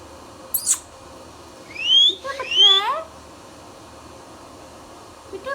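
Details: Pet Indian ringneck parrot: a brief screech, then a bright rising whistle run straight into a wavering, voice-like harmonic phrase, followed by silence and a soft final note.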